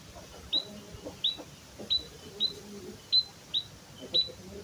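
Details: Pure white-headed munia song, no inserted imitations: seven thin, high, sharply rising notes spaced roughly every half second to second, against faint low rumbling.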